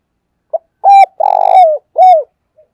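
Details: Spotted dove decoy bird calling to lure wild doves: a short note, then a level coo, a longer rolling purred coo ending in a falling slur, and a final downward-curving coo, all low and mellow in a quiet setting.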